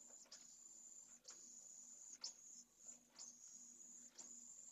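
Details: In Jerez de la Frontera, Spain, a pallid swift chick about to leave its nest begs while its mother feeds it. High sibilant buzzing runs in about five stretches, punctuated by knocks and scuffling.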